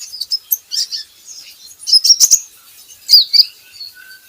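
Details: Van Hasselt's sunbird (kolibri ninja) recording used as a lure to get kept birds singing: thin, very high twittering chirps in short bursts, with a sharp click near the middle and another later.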